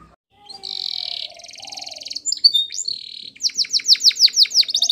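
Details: Training song of a Spanish Timbrado canary, opening with a steady buzzy held note and a metallic rolled trill, followed by sharp chips and a fast series of descending whistled strokes.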